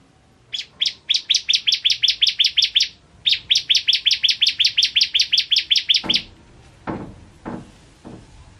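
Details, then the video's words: A caged bar-winged prinia, crystal variety used as a master bird, sings two long runs of rapid identical high chips separated by a brief gap, followed by several low knocking thuds. "Burung Masteran Ciblek Kristal Gacor"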